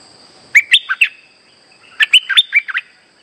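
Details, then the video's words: Streak-eared bulbul lure call used for trapping: two bursts of four to five quick, bright chirping notes, sharply rising and falling, separated by a pause of about a second, over a faint steady high whine. "Suara pikat merbah lekir gacor"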